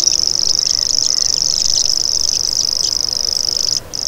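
A common grasshopper warbler gives a fast, unbroken, high-pitched mechanical reel, like a spinning fishing reel or a cricket. It runs steadily, then stops briefly near the end.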